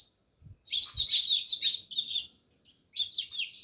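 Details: House sparrows by a village home in Jamnagar keep up a busy chattering run of high chirps, about three a second, broken by one short gap, with two low knocks early on.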